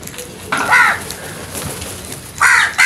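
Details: A crow's two short, raspy caws, the first early and the second near the end, harsh and nasal, with soft ambient noise in between.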